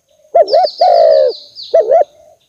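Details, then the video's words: Lure call of a spotted dove to attract birds: a wavy double coo, then a long smooth coo, then another wavy coo, with a thin high chirping bird in the background. "Suara Pikat Tekukur DERKUKU"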